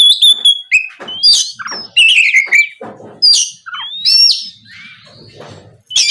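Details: Oriental magpie-robin, loud gacor ngeplong singing to make an opponent respond: bright whistles sliding down and up, scratchy chatter, and rising slurs in irregular phrases.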